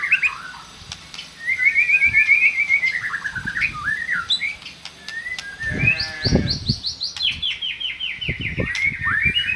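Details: White-rumped shama song to prompt a silent shama to sing: whistled slurred phrases and rapid repeated high chips, mixed with intermittent thumps and knocking sounds.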